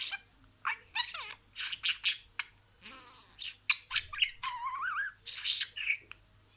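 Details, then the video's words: Budgerigar imitating words: loud crackling bursts and squeaks interleaved with a wavering, whistled warble, then a few harsh chattering notes. "MUHABBETKUŞU KONUŞMA SESİ"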